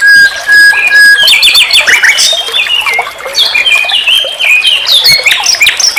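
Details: Varied song of a common nightingale, recorded as training material for songbirds: a long flat whistle opens, followed by a dense, tumbling stream of chirps, slurs and clicks that sweep up and down without pause.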